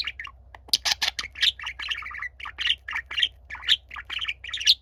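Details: Young pet budgerigar warbling for attention beside a quiet older companion: dense, continuous chattering twitter of squeaky chirps and buzzy notes, with a low steady hum in the background.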